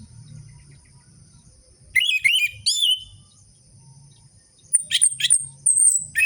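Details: Orange-headed thrush song used to encourage silent captive birds: after low background murmur, two bursts of twisting, rising and falling whistled notes, a lull, then thin high squeaks and chips.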